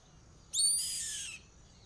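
A yellow-headed caracara gives one harsh, hoarse scream lasting under a second. It is high and raspy and slurs downward. A faint steady hiss sounds in the background.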